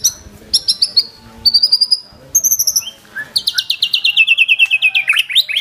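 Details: White-rumped shama singing a rich mimicked repertoire with full rapid bursts: high whistled notes and buzzy trills in quick pulsed series, a long descending rattled phrase near the end.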